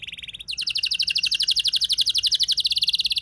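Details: Canary rolling song used as a singing lure for other canaries. A brief, quiet trill leads straight into a loud, rapid, steady roll of quickly repeated notes that lasts to the end.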